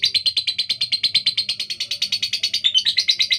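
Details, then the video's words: Female lovebird, kept and fed millet, with a rough, fast voice: a rapid unbroken stream of harsh chattering notes around nine per second, steady and loud, briefly shifting to a slightly higher squeak near the end. "Lovebird betina fighter suara kasar speed"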